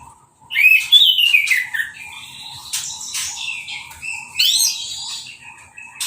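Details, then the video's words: Moulted orange-headed thrush, bathed by hose spray and left uncovered, sings a loud rising-then-falling whistled phrase, then softer warbles and another upswept whistle. Soft low chirps continue in the background. "Anis Merah Sehabis Mabung Mandinya Disemprot Selang , Gak Pakai Kerodong , Bisa Langsung Berbunyi"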